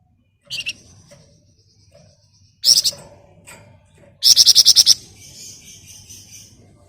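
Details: Flamboyan singing ngebren rapat nyerecet: sharp high chips, then a harsh buzzy burst, then a fast rattling series of about seven shrill notes trailing into a soft hiss.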